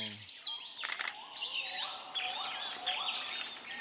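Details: Long-tailed broadbill, one of a pair at a nest in Kaeng Krachan, Thailand, in 2018, giving high, thin whistled calls, several short rising notes repeated about once a second, with other chirping birds overlapping.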